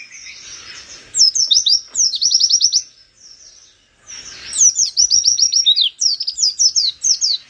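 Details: An Oriental white-eye sings hard with open beak to provoke rivals, pouring out fast sequences of piercing high chirps, each slurring down, in long phrases split by a brief lull.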